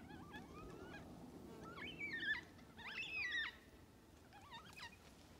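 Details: Wailing, bending calls from several black cockatoos feeding on parrot bush seeds at Lake Clifton, WA, in April 2022. The calls overlap, with a louder drawn-out cry near the middle, over a noisy background.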